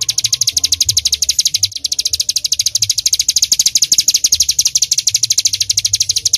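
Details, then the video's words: A bar-winged prinia pours out a long 'nembak' burst of shrill, closely packed chirps at a steady fast pace, with a slight low background rumble. "Ciblek Gunung Full Nembak"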